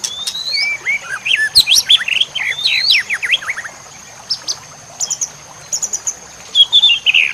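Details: Masteran recording of White-rumped shama song, full-fill style, used to train songbirds: rapid high chirps and sharp downslurred whistles, then a pause, then scattered short high notes. A constant thin high tone sounds in the background.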